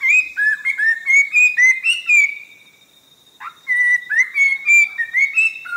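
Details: Orange-breasted laughingthrush of southern Vietnam's Langbian Plateau, in thick scrub at forest edge: rapid run of bright whistles, a pause of about a second, then another fast whistled series.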